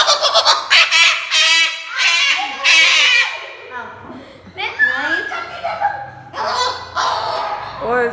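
A Moluccan cockatoo gives a run of loud, harsh, ringing shrieks in quick bursts, then softer squawks mixed with human voices.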